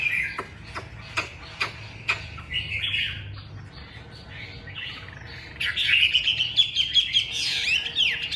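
A Chinese hwamei sings loud, varied whistled phrases, starting with sharp clicks and chirps and ending in a rich rising run of ringing notes.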